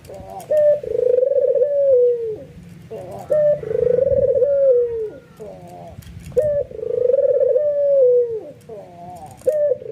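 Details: Albino white ringneck dove cooing with excitement, making other doves join in: three long steady coos about every three seconds, each introduced by quick upward notes.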